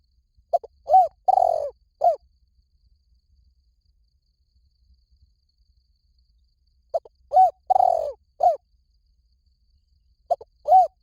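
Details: Spotted dove cooing as a lure said to bring wild doves in fast in any forest: a pattern of short hoots with one longer, drawn-out coo, repeated three times at intervals of several seconds, with near silence between phrases.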